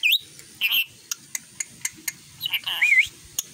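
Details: Tame pet rainbow lorikeet, trained for free flight, a lively chatterer said to mimic human speech indistinctly and say its own name: upswept whistled notes, a harsh buzzy squawk, scattered sharp clicks, then warbling, wavering whistles near the end.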